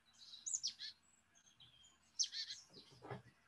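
Marsh Tit alarm call: two bursts of sharp, high, down-slurred notes about two seconds apart, followed by a brief low thud.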